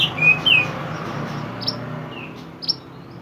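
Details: Pied triller (mantenan) chirping for use as a training recording for songbirds: a few clear whistled notes, the first ones falling, then softer rising and falling chirps over a steady low hum.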